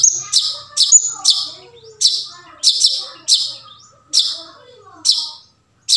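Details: Wild long-tailed shrike recorded in forest, used as a lure to get silent caged shrikes singing: harsh, rasping high notes repeated about twice a second, with faint softer chirps of other birds underneath.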